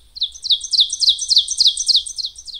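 An Ovenbird sings a fast chant of high, sharp, down-slurred phrases, about three or four per second and all alike, with a faint low hum underneath.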